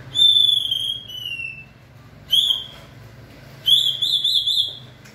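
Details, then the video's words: White-rumped shama in fiery 2020-season form, singing pure high whistles: a long level note dropping in steps, a short sharp whistle, then a rapidly warbling trilled whistle. "Cọp Biển rực lửa (shama bird)"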